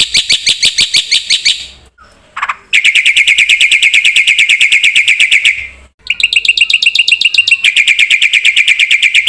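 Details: Black-winged myna in lively filler-rich song: long, rapid, rattling trills of high chirps, broken by two short gaps, each resuming as an evenly pulsed buzzy trill.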